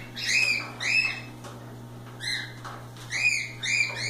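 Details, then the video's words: Loose cockatiels at play give bright upslurred whistled chirps in clusters, separated by short pauses, over a constant low electrical hum. "Calopsitas Live Canto dos pássaros"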